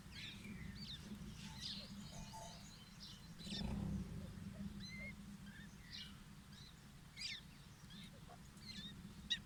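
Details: Young grey francolins, described as fighting chicks, give thin, high, scattered chirps and short peeps at an irregular pace over a steady low rumble, with one dull thump.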